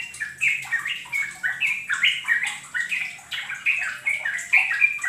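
Yellow-vented Bulbul song: a fast, bubbly chatter of short, liquid, rising and falling notes, given in quick bursts about twice a second with no pause.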